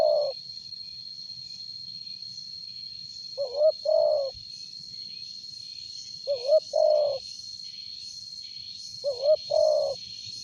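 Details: A spotted dove with a strong voice, meant for luring, gives spaced coos: a brief wavering syllable followed by a longer steady one, three full phrases about three seconds apart, with a thin constant insect whine behind.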